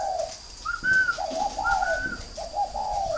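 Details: Overlapping calls of farm-kept spotted doves in Ba Vì, Hanoi, northern Vietnam. Low, grainy coos mix with higher, pure, sliding notes in quick succession, so the phrases run almost continuously.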